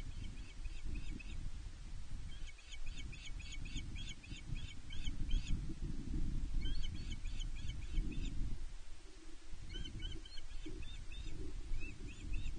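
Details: A female osprey fish-calls insistently at her nest on Loch Arkaig, 31 May 2023, before her mate brings a fish, recorded by a nest camera: long repeated series of piercing chirps in several bursts, with a low wind-like roar throughout.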